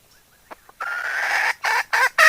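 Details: Decoy hen calling to lure other fowl: a long drawn, nasal note rising slightly over a second, then four loud harsh clucks in quick succession, with faint short notes before it.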